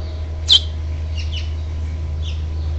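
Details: House finch at a nest on 12 June 2007, as the last fledgling is encouraged to leave: one sharp high chirp, followed by a few faint softer chirps over a steady low hum.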